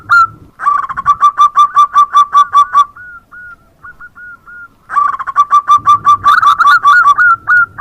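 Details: Morning calling of zebra dove: bursts of rapid, evenly pulsed soft coos with a rolling quality, a quieter stretch of a few hooked notes in between, then another loud rapid series.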